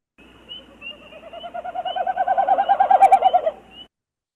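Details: Wilson's snipe winnowing in flight display: a hollow, quavering run of rapid hoo-hoo-hoo pulses swelling louder over about three seconds, then cutting off, made by air through fanned tail feathers, not the voice; carries far across a marsh.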